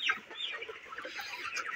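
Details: Farm broiler chickens aged 29 days chatter together: one clear falling squeal at the start, then a busy mix of short clucks and cheeps from many birds.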